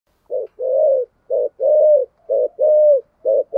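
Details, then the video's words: Spotted dove kept as a decoy bird, calling in the 'thổ' voice style with thúc and gù cooing: short clipped coos alternate with longer, slightly falling drawn-out coos, about eight notes in under four seconds, on a silent background. "Chim Cu Mồi, cu gáy giọng thổ Thúc+ Gù gáy gọi"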